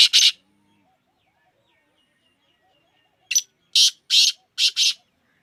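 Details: Black francolin (kala teetar) being sold: two harsh notes, about three seconds of near silence, then a full phrase of a short chip followed by four loud, grating, buzzy bursts in quick paired rhythm.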